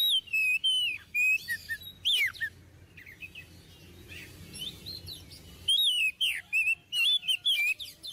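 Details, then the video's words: Oriental magpie-robin in full song, used as a master bird for training: bright whistles, swooping slurs and chattering chirps in lively bursts separated by a quiet gap. "Kacer Gacor~Cocok Untuk Di Jadikan Masteran Untuk Burung Kacer Bahan"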